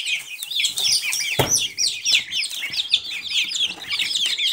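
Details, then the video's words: A crowd of Silkie chicks chirping shrilly, rapid falling cheeps throughout and one loud broadband thump about a third of the way in. "Цыплята шелковые"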